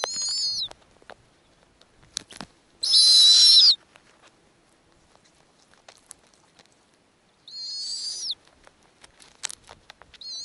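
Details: At a snowy owl nest with newly hatched owlets, while the female feeds them small pieces and makes specific sounds when offering food, harsh, hissing screeches under a second long come a few seconds apart, with faint clicks and taps.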